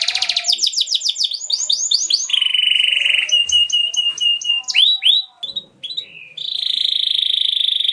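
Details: Atlantic canary ngerol song used as a lure: looping upswept notes repeated several times per second, then a flat buzzing trill, curling whistled notes and a long steady high rattle, with faint lower sounds underneath.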